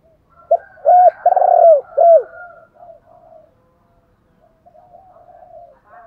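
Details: Decoy spotted dove calling to stimulate wild doves into cooing back: a quick series of four loud, low, hollow coos in the first two seconds, then softer, trailing coos fading through the rest.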